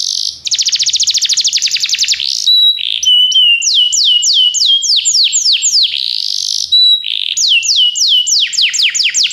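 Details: Belgian canary singing to encourage other canaries: fast buzzy trill, then varied whistled notes, descending sweeps and steady tones alternating with buzzy stretches, loud and unbroken.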